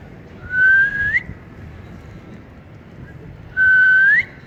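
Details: Talking ring-necked parakeet kept as a pet, enjoying cool weather, gives two long, steady, pure whistles that each sweep upward at the end, about three seconds apart, with soft background noise.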